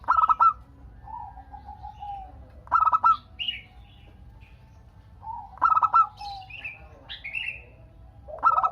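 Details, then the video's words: A local zebra dove calling steadily to provoke other doves into answering. Repeated staccato coo phrases sound every few seconds, interleaved with softer low coos and brief higher chirps from other birds. "Perkutut Lokal Gacor Untuk pancingan kutut perkutut agar saling bunyi BERSAUTAN"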